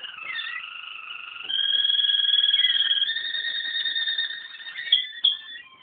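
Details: Song of a Waterslager canary: sustained, smoothly rolling tones that step abruptly between pitches, swelling louder midway, and end with a couple of sharp accented notes.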